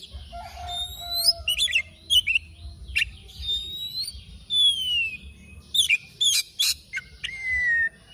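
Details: Oriental magpie-robin in morning song: clear downslurred whistles and sharp rising chips spread across eight seconds, with a low whistle at the start and a soft background hum.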